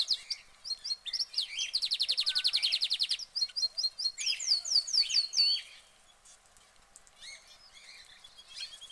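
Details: Caged canary singing: fast repeated high trills and chirping phrases, one long buzzy rolled section, then quieter scattered notes toward the end.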